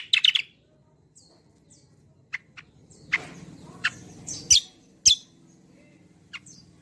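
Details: Javan grey-throated white-eye, a lure bird for song training, opening with a quick burst of chattering notes, then spaced sharp chirps and harsher squeaks over a faint low hum.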